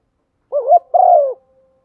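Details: Female spotted dove cooing to stimulate a male, used as a lure: a short wavering low coo rising into a longer, steady, slightly falling note, against a silent background.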